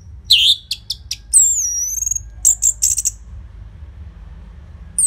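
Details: An orange-headed thrush sings loud, busy phrases meant to prompt other birds: sharp high chips, then a long thin whistle sliding down, and a rapid cluster of piercing notes before quiet.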